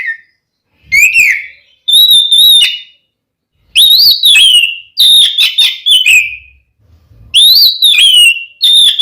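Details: Oriental magpie-robin singing a fighting song to provoke another male into anger: loud, pure whistled phrases, some rising then falling, others level, each about a second long, separated by brief pauses.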